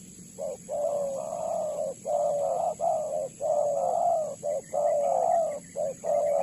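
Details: Spotted dove (tekukur) calling as a lure for trapping doves: low, soft hooting coos in a steady repeated series, short notes alternating with longer drawn ones, nearly continuous through the recording.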